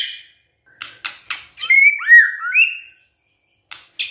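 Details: White-rumped shama song meant to spur a quiet shama into full, vigorous singing: sharp clicking notes, then a run of slurred whistles rising and falling near the middle, ending with further short clicks.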